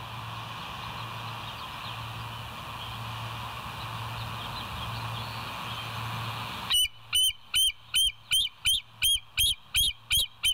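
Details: Bald eagles of the West End nest on a live nature cam, morning of 29 August 2023 around 07:03: steady electrical hum and hiss, then a fast run of about eleven high, piping, chattering notes, evenly repeated roughly three per second.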